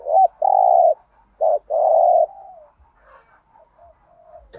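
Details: Spotted dove delivering the 'thúc gù' urging coo in native field-dove voice. A short note is followed by a long steady coo, then the pattern repeats, trailing into faint soft murmurs.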